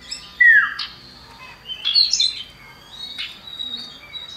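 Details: Common iora (cipoh), male and female, used as a lure recording to get birds singing, female calling to the male: slurred descending whistles and sharp rising chirps in separate bursts, with thin steady high tones between.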